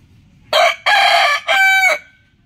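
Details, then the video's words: Rooster crowing early in the morning: a loud, harmonic cock-a-doodle-doo in three parts, a short opening note, a long rough middle and a final held, level note, over quiet background. "Rooster crowing compilation | Amazing rooster calling early in the morning"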